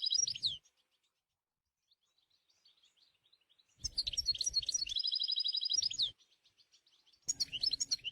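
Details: Wild European goldfinch song in nature, bursts of liquid twittering and a long fast rattling trill, separated by a near-silent pause, with low rumbling noise during the louder passages.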